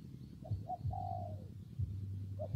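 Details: In rainy, windy conditions, a spotted dove gives two quick notes and then a long smooth coo that sags downward, with another short note starting at the end. Deep steady rumble below.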